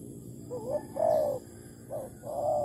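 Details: Spotted dove (Malaysian tekukur) at a bird trap using an uncovered decoy bird, Malaysia, 11 August 2020: two soft coo phrases, a brief wavering note followed by a longer, slightly falling hoot, under a steady faint hiss.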